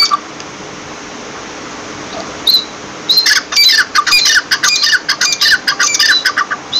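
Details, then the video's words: Partridge calling in a rapid series of harsh, scratchy notes, about two per second, beginning after a quiet start with one isolated note; a faint background hiss runs throughout. "Teeter ke Awaz"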